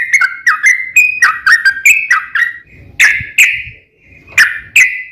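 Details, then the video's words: Sooty-headed bulbul song played to make other bulbuls sing in reply: quick bubbly whistled notes, then slower, louder single notes spaced about half a second apart, with faint low rumbling. "trucukan gacor ROPEL PANJANG pancingan trucukan agar bunyi JADIKAN burung trucuk gacor NYAUT"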